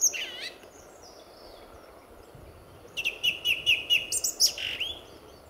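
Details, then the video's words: Male song thrush singing at RSPB Fowlmere in February 2014, early in the morning just before sunrise, near the car park: a burst of loud, clear repeated notes followed by a ringing whistled flourish, with a quieter bird calling faintly at the start. "Song Thrush"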